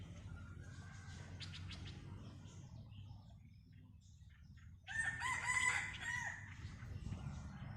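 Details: A red junglefowl rooster gives a loud, ragged crow lasting over a second, a fainter crow earlier, over a steady low rumble, on an overcast, cold day when the roosters crow often.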